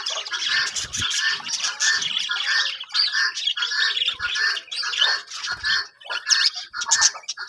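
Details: Budgerigars kept in a breeding colony, repeated bursts of chirping and squawky chatter, roughly one and a half per second, from several birds calling at once.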